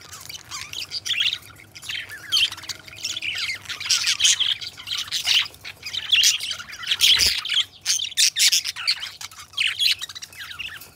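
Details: Two pet budgerigars warble steadily, a long stream of rapid chirps, clicks and scratchy squawks, with a brief low thump midway.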